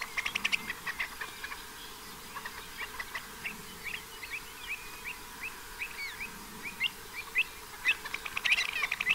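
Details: Pied avocets in spring at the time of the first hatchlings, at a bird observatory in the Séné nature reserve, Gulf of Morbihan, France, 29 April 2023; many short sharp notes repeated in a busy chorus over steady background noise.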